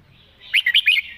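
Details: Red-whiskered bulbul, master-song style with beautiful phrasing: a single short phrase of four clear, bright, whistled-warbled notes, the second one slightly lower, delivered in under half a second.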